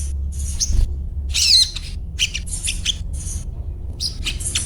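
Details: Kept little spiderhunter in everyday chatter, with high, clipped 'cuet' notes and one longer squeaky twitter, spaced unevenly about once a second against a low background rumble.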